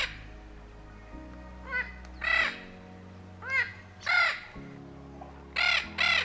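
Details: Spix's macaw, a Brazilian endemic extinct in the wild and kept in captivity, gives harsh, rasping squawks with ringing overtones, singly or in pairs at irregular intervals, over a low steady musical drone.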